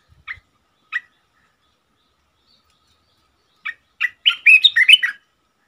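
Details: A caged red-eyed bulbul, used as a decoy for trapping and the first bird caught that year, recorded 15 January 2022, gives two short chirps, then after a pause a bubbly warbling run of about a second and a half.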